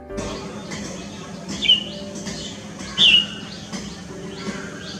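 A Red-whiskered Bulbul gives two short, bright whistled notes about a second and a half apart over soft background music.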